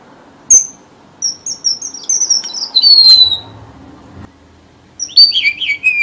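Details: Red avadavat song used as a trapping lure: a sharp chip followed by a stepping series of high sweet whistled notes falling in pitch, a pause, then another tumbling descending phrase.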